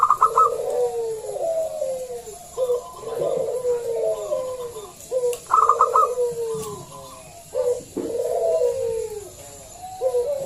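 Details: Loud local zebra dove used as a lure to prompt other doves to sing. Rapid stuttering staccato notes lead into rolling, descending coos, the phrases coming in quick succession for ten seconds with a faint hum behind.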